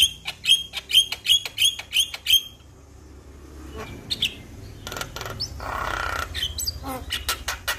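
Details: Male Javan myna calling to other mynas: a quick series of sharp whistled notes repeated about three per second, then quieter rasping, a harsh hiss and clicking notes.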